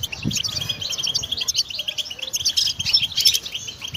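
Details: Goldfinch song played for training: a dense, fast twitter of short high chirps and trills, with brighter buzzy notes near the end and faint low rumbling underneath.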